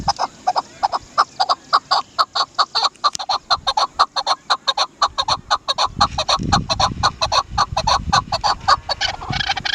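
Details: Dasi chakor, the Chukar partridge, calling in fast repeated chak notes at a steady clip, with a low rumbling noise entering in the second half.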